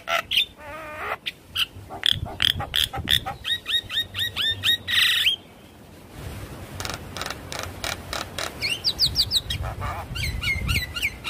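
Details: Javan myna song played to coax stuck birds into singing: rapid chattering whistles and repeated curling notes, a harsh squawk, a short quieter pause, then more scratchy clicks and rising whistled sweeps.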